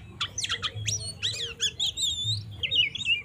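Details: Oriental magpie-robin with 'konslet' fighting song, used to provoke rival magpie-robins: a run of harsh squawky notes, then sustained high whistles and a wavering warble, with a low hum in the background.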